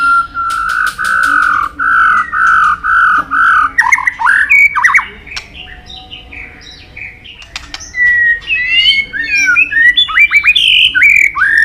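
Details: White-rumped shama song packed with mimicked fill-in phrases: a string of steady, evenly repeated whistled notes, then quick buzzy chatters and a tumbling series of varied whistles and slurs.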